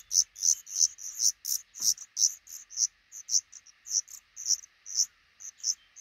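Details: Black redstart family, a pair with five chicks hatched in a nook beneath the roof above a front door; piercing high peeps pulse in quick, even succession, roughly three each second, with a brief faint sweep midway.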